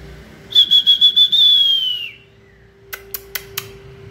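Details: White-rumped shama in peak form, 2020 season, giving a pulsing, high, level whistle that slides downward, then four sharp separate clicks, with a constant low hum behind.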